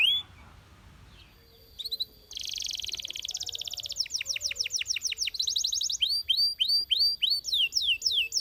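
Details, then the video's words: Belgian canary, faint at first, bursting into a dense buzzy trill, then rhythmic downstroke notes and repeated arched whistles at an even pace. "The Sound Of The Belgian Canary"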